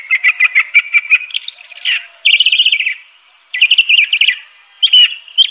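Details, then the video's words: Crissal thrasher (Toxostoma crissale) delivering a rapid series of repeated chips, then rising slurs and fast buzzy trills in separate bursts, each phrase lasting one to two seconds. "Crissal Thrasher bird song.(Toxostoma crissale)."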